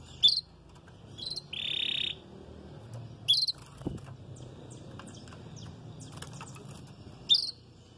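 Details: Canary of the red frosted colour variety, beginning its moult and singing incompletely: crisp high chirps repeated every few seconds, a short buzzy rolled phrase, and faint twittering notes between.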